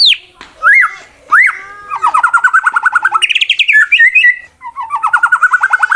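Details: Competition white-rumped shama fighting song to provoke rivals: loud whistled upslurs, then long rapid trills of repeated sharp notes. The trills shift higher mid-phrase, drop again and end in another fast rattling series.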